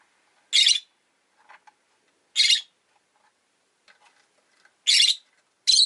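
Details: Two rosy-faced lovebirds kept as pets sit huddled at an entrance, calling with loud grating squeaky chirps about every two seconds, with soft low mutterings in the gaps.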